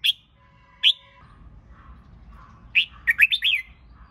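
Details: A red-whiskered bulbul trained for singing competitions gives two sharp notes, then after a pause a fast, bright phrase of five or six warbled notes rising and falling.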